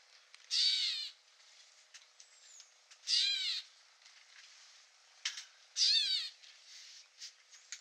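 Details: Gray Catbird (Dumetella carolinensis) recorded in the field at Newman Lake, Washington: three loud, scratchy mew calls roughly every two and a half seconds, separated by quiet clicks and short ticks.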